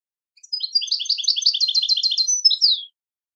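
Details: European goldfinch singing a switty-style song, a training example of a successful song without mistakes: a two-second run of fast, evenly paced high twittering notes, ending in a sweeping falling slur.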